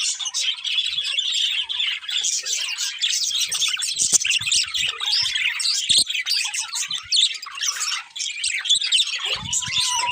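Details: Colourful budgerigars, a breeding pair of pet birds, chattering continuously with dense, warbling high chirps and squeaky notes, several birds overlapping throughout with brief low knocks.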